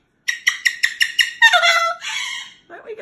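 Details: Pet Moluccan cockatoo protesting bedtime indoors: six evenly spaced sharp harsh calls, then a long descending raspy squawk trailing into a softer noisy cry, ending with a brief murmur.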